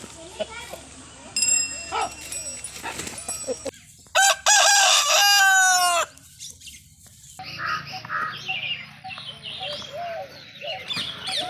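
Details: Scattered clucks and chatter from fowl, then a rooster bursts into a loud, strained crow of about two seconds with a falling ending; more busy clucking and background noise follow.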